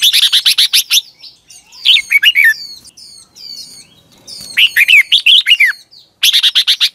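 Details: Red-whiskered bulbul singing in the morning (2021) as a training lure: rapid series of sharp, evenly spaced high chips, then bubbling warbled phrases of rising and falling whistles, followed by another run of sharp chips.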